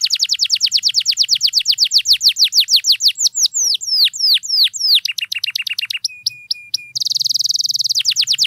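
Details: Canary song to prompt silent birds: a quick train of falling whistles, swooping slower notes, a buzzy trill, short flat tones and a final high rolling trill over a faint low hum.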